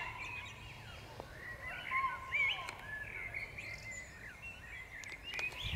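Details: Springtime chorus at the Powsin Botanical Garden, May 2016: a mix of whistles, warbles and sliding notes from several birds overlapping continuously, with occasional ticks and a constant low hum of distant noise.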